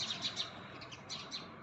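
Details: House sparrow on a green rooftop garden in the morning, with many sparrows present, gives short, bright chirps in quick bursts, several within under two seconds, over steady background hiss.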